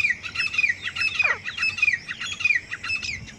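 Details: Calls of a grey francolin pair: fast, grating, repeated notes with upward and downward swoops, run together in a continuous chattering series over a faint low hum.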